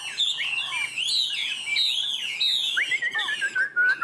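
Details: Caged Chinese hwamei with yellow legs, a bird offered for sale and described as a strong, loud singer, delivers a rich run of bright whistled phrases, sliding up and down and overlapping, with a sharp final flourish.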